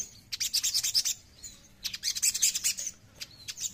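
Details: Oriental magpie-robin, known as sogon, giving two bursts of fast, high, scratchy twittering notes separated by a pause, with a few faint chirps following.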